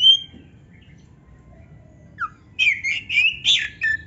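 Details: Gacor singing of an Oriental magpie-robin, or kacer, used to rouse birds that will not sing: one clear whistle, a pause with a soft falling note, then a quick string of sweet warbled whistles.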